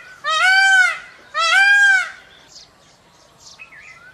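A peafowl gives two loud, nasal, wailing calls about a second apart, each arching up then down; faint chirps from small birds follow.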